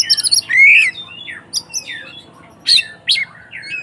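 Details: White-rumped shama fighting song used as a provocation for other shamas: a clear rising whistle followed by scattered sharp harsh notes and short chips with quiet gaps.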